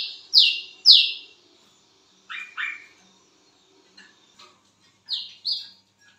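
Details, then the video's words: Lesser whistling duck calling at midnight: sharp whistled notes sliding down, given in pairs with gaps, then a lower double whistle and a final pair of high whistles. "BURUNG WICEH MEMANGGIL WICEH GACOR TENGAH MALAM"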